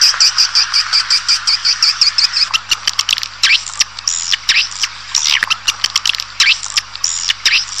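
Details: Swiftlets calling in a recording intended to lure a colony into a building: a fast run of evenly repeated high chirps, then sweeping downslurred squeaks and clicks, over a faint low hum.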